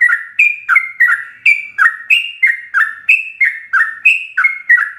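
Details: Yellow-vented bulbul singing fast ropelan song used as a master for captive birds, a steady stream of liquid, bubbly two-part notes that step down in pitch, about three per second, clean and without background noise.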